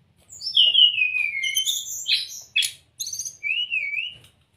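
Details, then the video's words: Brown-chested jungle flycatcher, a master recording for caged birds. One long sweeping whistle glides downward, followed by a few harsh high bursts and a final wavering, looping whistle. "pancingan srdc agar cepat buka paruh..dan masteran srdc mudah di tiru ,terapi srdc malas bunyi"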